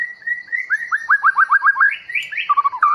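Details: White-rumped Shama of the long-tailed Bahorok type, newly caught from the forest, delivering a quick series of repeated downslurred whistles that climbs into higher notes and ends in lower warbled phrases, with nothing else heard.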